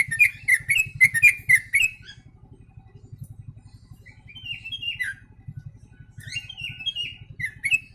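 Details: Yellow-vented bulbul song carrying copied sooty-headed bulbul material: rapid bright chirps repeated several times a second, a lull, then short rising-and-falling warbled phrases, with continuous low rhythmic machine-like pulsing underneath.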